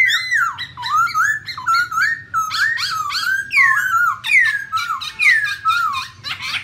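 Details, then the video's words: Female black laughingthrush with a male, giving 'ro ro' calls to stimulate other birds. Continuous slurred whistles swoop downward repeatedly, with short buzzy notes between the phrases. "Khướu mun mái Ro Ro kèm trống thúc kích bổi,mồi căng lửa"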